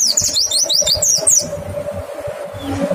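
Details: Lure recording of a white-eye with a clear voice: a burst of fast, high, chattering zigzag notes lasting over a second, then quiet background with a faint steady hum.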